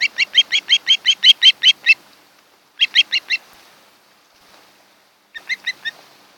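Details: At a nest on Kent Island, Maryland, on the late morning of 8 July 2018, where a mated osprey pair lives, an osprey gives rapid shrill whistled chirps, about five per second, in three bursts with short pauses.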